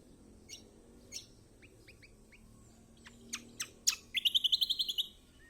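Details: Kecial kombok chirping, offered to spur a silent bird: thin high calls, a few sharp downward strokes, then a quick rhythmic run of about eight high trilled notes over faint low background hum.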